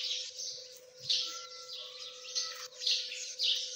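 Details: Partridge chicks calling with rapid, shrill peeps, clustered and irregular, against a faint steady hum.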